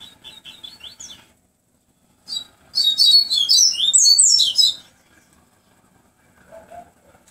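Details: Double-collared seedeater in a comparison of flute-like tui tui song, singing a quick burst of bright, tumbling whistled notes for about two seconds after a few softer chirps, with faint low background noise.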